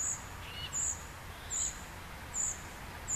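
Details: A young common cuckoo being fed by a great reed warbler foster parent gives thin, very high, hissy begging notes, repeated steadily about every 0.8 seconds over a soft background hiss.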